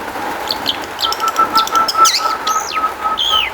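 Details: Long-tailed shrike song used as a lure to make other shrikes sing: a varied medley of short sharp whistles, downslurred and rising slurs, and harsh notes over a steady tonal hum.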